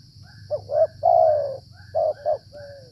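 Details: Spotted Dove (tekukur) cooing during decoy trapping in the cold, rainy flood season. Two short rising notes lead into a long, low, falling coo, then another short pair and a softer trailing note. A steady high electronic whine runs underneath.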